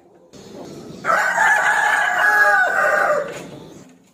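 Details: Crow of a rooster daring a rival to fight: low background sound at first, then one sustained, loud harmonic crow lasting about two seconds, falling slightly before it stops.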